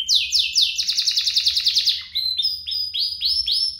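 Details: Canary duo in full song, used as a tutor for young canaries. A fast pulsing trill of repeated strokes breaks into a slower series of separate upward-sweeping chirps, about four per second.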